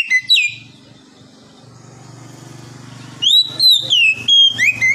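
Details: Oriental magpie-robin giving loud clear whistled phrases of rising and falling slurs, framing a stretch of steady low rumbling background noise.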